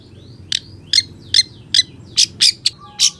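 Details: Long-tailed shrike in full, energetic song with sharp shot notes, used as a lure and tutor recording for other shrikes: short harsh high chirps roughly every half second, some with thin whistled slurs, over a low steady hum.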